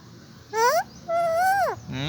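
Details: Parrot speaking its name, producing two voiced syllables: a short rising one, then a longer, level tone that bends downward at the end, with a faint trailing sound after.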